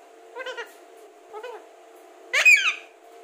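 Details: Talking Alexandrine parakeet producing two short nasal syllables followed by a louder, harsher rising-and-falling phrase rich in harmonics, against a constant background hum.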